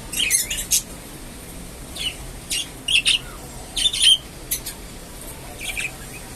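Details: Red-eyed pet budgerigars (Australian parrots) in a happy mood, chattering in short, scratchy chirps and squeaky notes, bursting out every half second or so.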